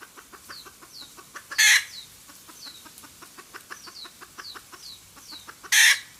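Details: Red junglefowl hen cackling, a recording used as a lure for trapping: rapid, evenly repeated clucking notes, two loud harsh squawks, and thin descending chirps throughout.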